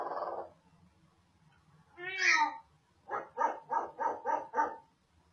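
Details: Female pet African grey parrot indoors that talks, barks and sneezes: a low hoarse note, a rising and falling whining call, then six quick evenly spaced barking yaps.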